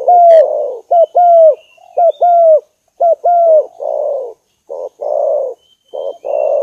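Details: Spotted dove coos from a decoy lure recording: crisp short-long coo pairs early on, then softer, breathier rounded coos in quicker succession, with a faint high tone in the background.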